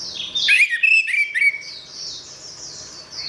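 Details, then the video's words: Orange-headed thrush phrase: a brief rush of varied whistled and slurred notes lasting about a second. A steady high twittering chorus follows. Played as therapy for a thrush that has stopped singing. "Suara Anis Merah"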